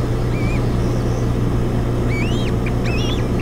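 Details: Osprey nest on Hog Island, 7 June 2017, filmed by a nest camera while a fish is delivered and the female feeds three chicks. Single thin whistled notes, then quick clusters of looping upslurred chirps, over a constant low hum.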